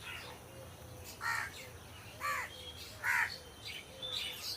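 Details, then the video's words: Several rasping caws from crows in trees, spaced about a second apart with quieter pauses between, over a steady low rumble. "Crow Sound Crow Ki Awaj"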